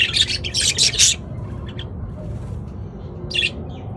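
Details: Budgerigars calling together, a loud run of harsh chirps and squawks for about a second, then quieter, with one more short burst near the end.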